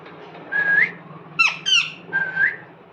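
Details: Cute pet parrot indoors giving a drawn-out whistle that slides upward at the end, then two harsh, buzzy descending squawks, then another upslurred whistle; steady low hum underneath.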